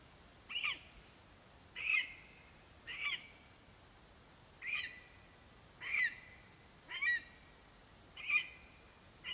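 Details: Male lesser spotted eagle at the nest with a vole, calling for his absent mate, 11 September 2021, Latvia: eight high, thin yelping notes, about one a second, each sharp and slightly falling, quiet background.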